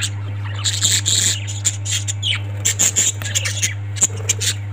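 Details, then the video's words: Parrots chattering: repeated high, scratchy chirps and short squawks in irregular clusters, with brief quiet gaps and a steady low mains hum underneath. "Parrots 🐦 Sound"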